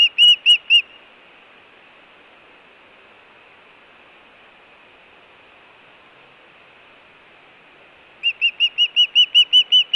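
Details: Osprey at a Montana nest in June 2017, food or alert calling: a few whistled chirps at the start, a long quiet gap of background hiss, then a fresh rapid series of rising whistles.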